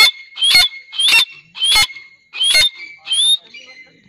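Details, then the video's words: Grey francolin pair, known locally as Dakhni teetar, giving five loud, shrill rising whistled calls spaced roughly every 0.6 to 0.8 seconds, with a steady high tone underneath. "Teetar ki awaz"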